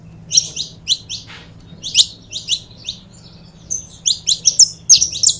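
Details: Two saffron finches give clipped high twittering notes in short clusters, a brief lull near the middle, then denser chip runs toward the end over a low hum.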